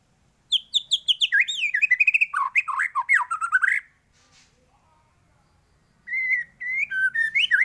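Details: White-rumped shama song with varied phrases for training other birds: fast repeated whistles dropping into a tumbling series of swooping notes, a pause, then rising whistled phrases.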